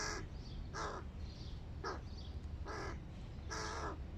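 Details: Large hooded crow chicks at breakfast, giving softer hoarse caws spaced roughly a second apart, fainter and muffled, with steady low-frequency background noise.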